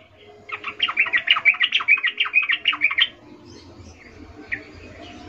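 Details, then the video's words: Sooty-headed bulbul female giving a birahi 'ngecuplik' call to summon a male: a quick run of choppy, slightly wavering notes for about two and a half seconds, then quieter background with one faint chirp. "Trucuk BETINA memanggil Jantan Suara Birahi Ngecuplik"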